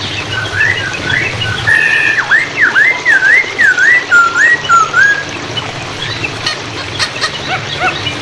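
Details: Hwamei song meant to prompt birds that have stopped singing: a fluid warbled series of wavy, looping whistles for about four seconds, over a continuous wash of flowing water.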